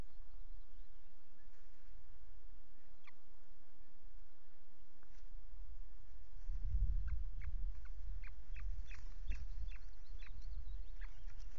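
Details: Osprey at a nest with a chick, filmed by nest camera at RSPB Loch Garten, Scotland, on 5 June 2023, gives short, sharp whistled chirps in a quick run, then a steadier series, over a heavy low wind rumble.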